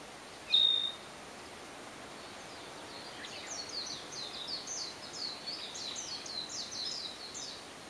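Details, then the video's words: Narcissus flycatcher singing only briefly, captured with an Olympus PEN E-P1 camera: one clear high pure whistle, then from about three seconds a run of faint, rapid, high chirping notes over steady background hiss. "キビタキ / Narcissus Flycatcher"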